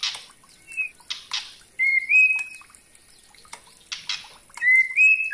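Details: Juvenile White-rumped shama used as a lure to provoke young and other shamas into full song, giving short, clear, upward-sliding whistles broken by harsh, scratchy bursts and chattering notes.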